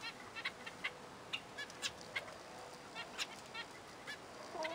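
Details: Zebra finches giving short nasal, buzzy beeping calls, repeated roughly every half second in a steady chatter over a faint background hiss.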